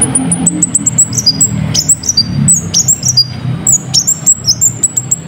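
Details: Olive-backed Sunbird (konin) singing a lure song for other birds: rapid strings of thin, piercing high whistles and sliding chips in dense, uneven bursts over a low rumbling background.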